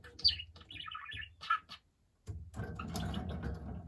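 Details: Pet budgerigar chirping indoors, recorded 13 November 2022: a few short warbled and whistled notes in the first second and a half, a brief pause, then a low rumbling household noise.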